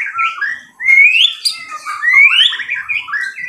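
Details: Fighter white-rumped shama giving a loud song of slurred whistles that sweep upward, with fluty rising phrases and brief pauses between bursts, clear and close.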